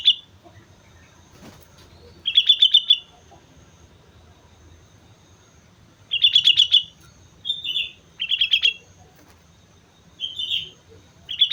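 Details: Sooty-headed bulbul in lively song on Mount Slamet, repeating short, rich, chirping phrases of rapid slurred notes, with several bursts close together in the second half and soft low rumble beneath.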